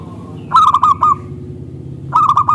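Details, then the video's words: Local zebra dove lure call to prompt other doves to respond: a rapid series of clipped cooing notes ending in a sustained tone, then a second burst starting, over steady low-frequency hum. "Perkutut Lokal Gacor SUARA Kristal TEBAL Jitu AHLINYA UNTUK pancingan perkutut NYAUT"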